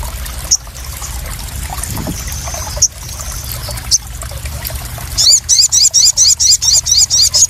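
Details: ['Crested jay sound meant to stir and calm newly caught birds: a few isolated high squeaky notes, then a regular series of loud, bright upswept notes about three per second.']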